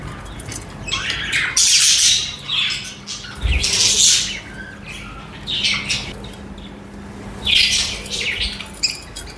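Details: Cheerful chattering of budgies (parakeets): bursts of harsh, buzzy high warbling every couple of seconds, with short chirps between. There is a soft low thud around the middle and a faint low hum.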